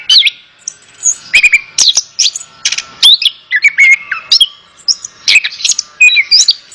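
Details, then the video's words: Orange-headed thrush song used to encourage a reluctant bird to sing: separated bursts of sharp, varied notes with short slurred whistles, some dipping downward, repeated roughly every half second over a faint steady hum. "Terapi Burung Anis Kembang | Atasi Burung Anis Kembang Malas Bunyi Ikut Nyaut"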